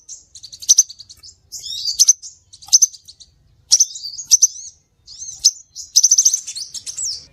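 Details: Scarlet minivet lure recording: bursts of high, sharp chirps and short twittering phrases, very high-pitched, in groups separated by brief pauses.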